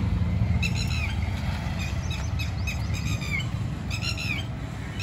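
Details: Red-wattled lapwing (Vanellus indicus) at Abul Fazal Enclave, Jamia Nagar, New Delhi, India, giving sharp, high, repeated calls in quick bursts over a steady low rumble of traffic.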